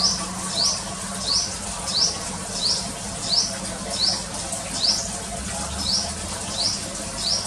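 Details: A small sunbird at a bird-watching spot repeats bright, high chirps, each one a quick downward slur. They come roughly ninety times a minute against a steady background hiss.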